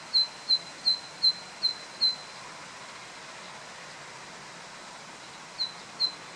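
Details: A very loud Zitting cisticola, 24 June 2013, gives sharp, high 'zit' notes, six in a quick, even run of nearly three per second, then two more after a pause, over a soft steady hiss.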